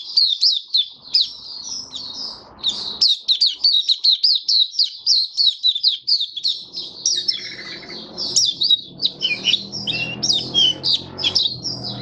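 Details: Captive white-eye (mata puteh) in full song, recorded 23 March 2022 in warm humid weather; a long, breathless string of sharp high chips and squeaky slurs, briefly broken at the midpoint, then resuming more varied and scratchy.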